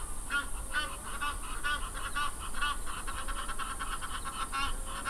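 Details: One of a pair of Egyptian geese feeding in the shallows at Sable Dam Hide in Kruger National Park gives a rapid run of harsh, nasal honks, about two a second, over a steady high insect hiss and low wind rumble.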